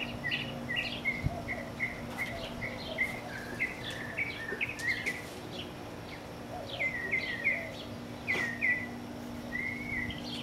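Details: Several birds singing in a backyard: many short chirps and whistled notes around the upper-middle pitch, repeated in quick runs, over a steady low hum and background noise.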